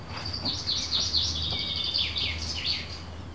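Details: Common chaffinch singing, recorded by phone on a terrace on 18 May 2017 at 6 pm, a crow answering it: rapid run of bright chirping notes in descending phrases, filling the clip over a steady low hum.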